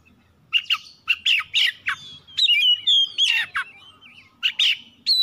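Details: Oriental magpie-robin song used as a lure to provoke other birds to sing: loud whistled notes and sharp downward sweeps, with a few harsh squawky bursts, delivered in quick phrases separated by short pauses.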